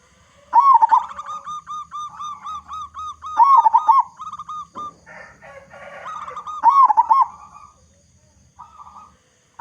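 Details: Local zebra dove with a big voice, used as a lure. Long runs of rhythmic arched coo notes lead into wavering coo bursts, repeated roughly every three seconds with a brief scratchy noise.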